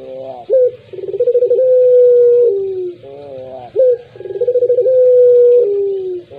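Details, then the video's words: Cooing puter pelung collared dove: a short upward note, then a rattling pulsed stutter smoothing into a long held coo that drops in pitch at its close. Two such phrases, each linked by softer wavering tones. "Misteri Suara Burung Puter Pelung"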